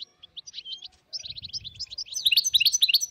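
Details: Dozens of wild European goldfinches in northern Morocco, 2022: scattered thin high chirps building into dense overlapping twittering, with soft low rumbling in the background.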